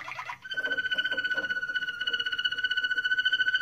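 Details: Moroccan Malinois canary singing indoors: a brief low gurgle, then a steady fast-pulsed roll of clear ringing tones, beating about three to four times a second and held evenly throughout.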